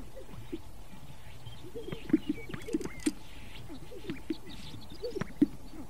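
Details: Greater sage-grouse strutting in courtship display at the lek: a series of hollow, low popping notes in short bursts, several sharp pops standing out against a steady low rumble of background noise.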